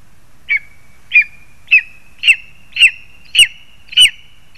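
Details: Lesser spotted eagle calling from a spruce in Zemgale, Latvia, during a frog delivery to the young. Seven shrill, clipped yelps repeat roughly twice a second, each a short downward-sliding note, with a thin constant tone underneath.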